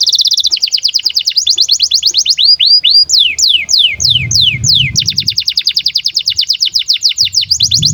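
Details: Canary singing in breeding condition, a long song intended to tutor young canaries; dense fast trills of short high notes alternate with slower runs of falling whistles, with soft low music beneath in places.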